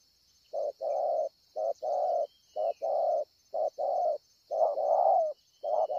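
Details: Spotted dove at Ngọc Hồi, 25 March 2020, cooing well: a steady run of low mellow coos in short-then-long pairs, about one per second, over a constant high insect drone.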